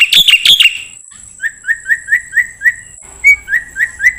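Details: Black-winged myna sound for training songbirds: two harsh chatter notes, then a steady series of short, clear, down-slurred whistles repeated about three times a second.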